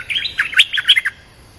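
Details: Streak-eared bulbul in a territorial contest: a short, loud, rapid flurry of bubbling chirps lasting about a second, then quiet.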